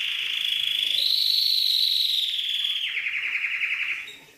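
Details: Canary song for training songbirds in Indonesia, set against calming trickling water. A sustained, bright trill slowly rises and then falls, before switching to a coarser rolling trill that fades out.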